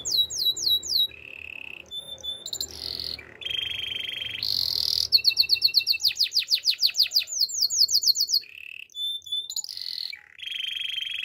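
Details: Belgian canary singing a training song: varied tours of quick descending whistled sweeps, steady buzzy trills near the start and end, and a fast run of sharply repeated notes in the middle, bright and clear over faint low background hum.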